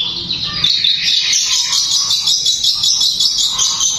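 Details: Dense, speedy long-tailed shrike song, said to make rival shrikes agitated and breeding-minded. A nonstop high, scratchy chattering trill with rapid pulsing, about two or three beats per second.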